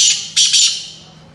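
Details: Black francolin, known locally as kala teetar, giving two loud, harsh, hissing bursts high in pitch, the second slightly longer, then fading away, in a quiet setting.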